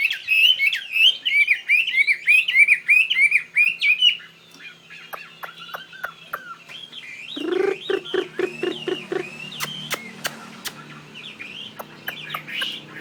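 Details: Chinese hwamei, a caged fighting bird from northwest Vietnam held in Saigon, pours out a fast run of rising-falling warbled notes for four seconds, then quieter scattered whistles with clicks and a brief low rumble.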